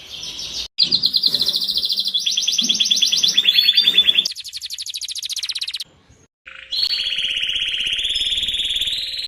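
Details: Singing canary with long sustained rattling trills of rapidly repeated high notes, changing speed between phrases, a short break, then another extended buzzy trill over a faint steady tone.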